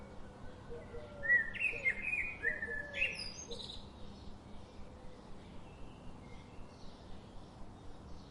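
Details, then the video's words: Birdsong opening with a loud run of warbled whistles and chirps over the first three seconds, then fading to faint scattered notes against a steady hiss. "Birds sound"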